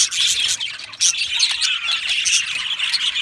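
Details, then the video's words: Aviary budgerigars chattering together, with sharp squawks and bright whistled chirps standing out over a busy background of many birds, the chorus dipping briefly near one second. "Budgie parrot chirping sounds"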